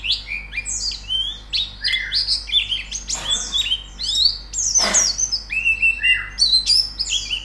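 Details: White-eye training song, a lively chatter of high falling whistles and short chirps in uneven bursts, broken twice by brief clicks or knocks.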